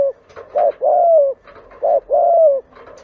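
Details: Spotted dove in a lure recording, giving two paired coos: a short soft note then a long smooth downslurred coo, over faint background rustle.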